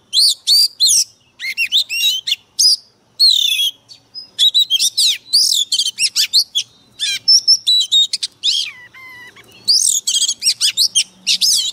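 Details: Fired-up Oriental magpie-robin kept as a decoy bird, singing with a harsh, forceful voice: a long, nearly unbroken torrent of sharp whistles, rapid chatters and rising and falling notes, very loud and close.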